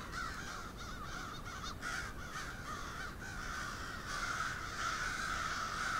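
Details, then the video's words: Large flock of crows on Steadman Street in Moncton, New Brunswick, calling all at once: a dense, continuous wash of overlapping harsh caws with no pauses, building slightly louder toward the end. "Whole lot of crows!"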